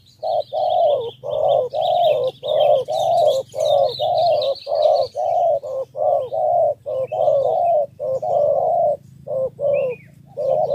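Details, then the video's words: Spotted dove from Ca Mau, Vietnam, calling in the 'thổ 3 âm' three-note style meant to win over wild field doves. Steady runs of hollow, low coos repeat almost without pause under busy high twittering from other birds. "2 kèo thu phục bổi đồng và thổ 3 âm"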